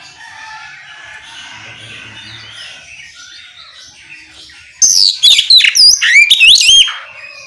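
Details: Oriental magpie-robin singing ngeplong song to coax other magpie-robins into joining: after a soft background hum, a two-second outburst of rapid, high, looping whistled notes, loud and clear.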